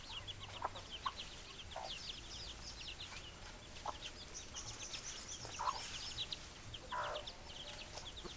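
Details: Hens clucking in a flock, a continuous mix of many quick high chirps and occasional stronger lower clucks every second or two, over faint low hum.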